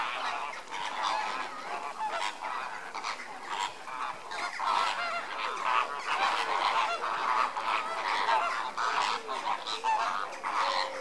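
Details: A sustained chorus of lesser flamingos during enrichment, countless nasal honks and grunting gabbles overlapping in a thick, unbroken flock clamour, loudest toward the middle.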